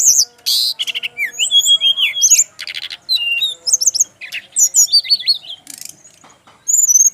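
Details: Brown-chested jungle flycatcher, male, Bali, singing a song that other birds of its kind reportedly answer immediately. Dense bursts of sharp chirps, falling and rising whistled slurs and buzzy trills, separated by short pauses.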